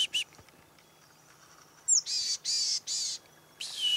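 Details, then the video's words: Chickadees around a hunter's tree stand one morning in 2008, calling: a high thin sweeping note followed by three broad buzzy dee notes, plus a short buzzy note at the start and another at the end. "Chickadee Birds Visit My Tree Stand"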